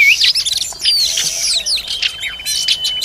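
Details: Oriental magpie-robin while feeding its young, giving a dense mix of high chirps, thin slurred whistles and rough buzzy bursts, one long steady whistle held near the end.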